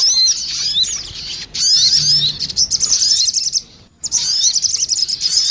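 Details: Female and male crested jays exchange calls in a bird-lure recording: a burst of sharp descending chirps, then rapid rattling twitter, a clear silent gap, and more shrill chattering.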